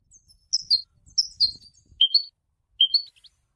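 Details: European goldfinch after its moult, giving separate high, clear whistled notes in pairs, falling slightly, spaced about half a second to a second apart, with faint low rumbling beneath.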